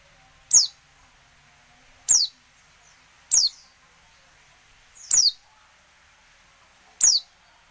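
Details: Five crisp, high descending whistles from a female oriental white-eye, repeated every one to two seconds in near silence, meant to make lazy males answer and sing as in the wild.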